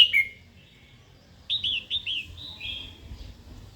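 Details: Female red-whiskered bulbul calling, used to provoke a wild-caught male to sing and fight: a sharp high note, then after a pause a quick run of four clipped, bouncing notes and a short trailing phrase.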